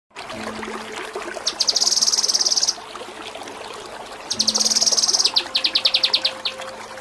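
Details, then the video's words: Kinoi song for training competition songbirds, in the styles called ngepik kapas tembak and nembak cililin: long, dense, very high buzzy trills, then a run of separate sharp, quick, descending chips, over a steady low hum. "Masteran Mewah KINOI || Ngepik Kapas Tembak || Nembak Cililin"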